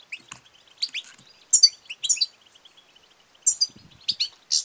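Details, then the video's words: High, tinkling chirps and short twittered phrases from a female European goldfinch, calling to stimulate male singing and mating, in bursts separated by brief quiet gaps. "بتبتة وستستة ونداء أنثى الحسون المميزة في علاج الصمت والخمول"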